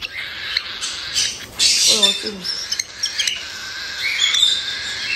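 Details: Young captive cockatiels, around one month old, in Tokachi, Hokkaido, begging with the harsh 'jaa-jaa' cry heard only in chicks during feeding time. Continuous rough, hissing rasps dominate, with a short spoken phrase midway.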